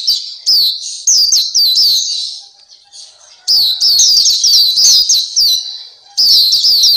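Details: Black-capped white-eye tutor song for caged birds: a burst of high twittering slurs, a lull of about two seconds, then a longer, denser run of descending chirps.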